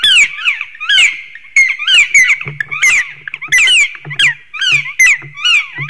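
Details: Three black woodpeckers in a possible territorial struggle at a stork nest in Sigulda municipality, Latvia, one March morning. Rapid, overlapping ringing cries from more than one bird, packed closely together, with a low hum in the background.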